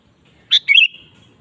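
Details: Sooty-headed bulbul, a lively, frequently singing bird, used as a lure to get a kept bulbul singing: one short phrase of a sharp note followed by a quick, bubbly, slurred whistle trailing off.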